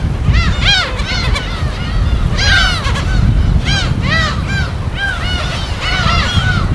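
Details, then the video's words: Gulls at their natural breeding habitat on an uninhabited island in the West Sea, recorded in the field: many overlapping harsh, arched, harmonic cries, several per second, over a steady low rumble of waves and wind. "파도소리와 갈매기소리"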